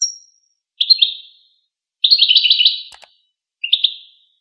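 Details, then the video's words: Goldfinch chattering in high, liquid bursts, including one longer run of rapid notes, plus a faint click and otherwise silence. "Golden Motivation: Empowering Songs of the Goldfinch"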